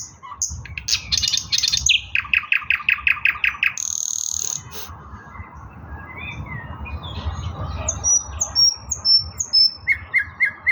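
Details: Varied nightingale song from 16 May 2024: rapid rattling trills, a run of descending chopped notes, a sustained bright tone, then paced high whistles and short repeated phrases, with faint low background noise.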